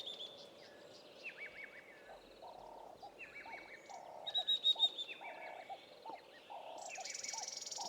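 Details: Spectacled Weaver calling in the Eastern Cape bush of South Africa: a brief, bright series of high, quickly repeated notes amid a busy chorus of other birds, with low, steady cooing and scattered chirps throughout.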